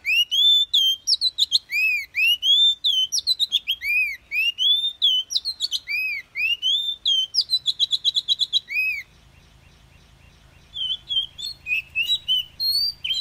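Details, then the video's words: An Oriental magpie-robin sings in wild forest style: a rich, fast run of varied whistled and slurred notes, high and bright, then pauses before softer phrases over a low hum. "Tiếng chòe than hót giọng rừng"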